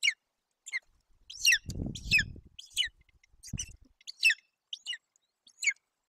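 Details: Eaglet of golden eagle in a Romanian nest in Bucovina, June 8, 2021, begging as the mother feeds it roe deer; scattered high, sharp chirped squeals with low rustling and feeding sounds between them.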